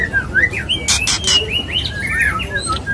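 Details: Courting male white-rumped shama singing to a female; slurred whistled notes rising and falling, interrupted by loud broadband noise bursts, with a faint second bird in the background.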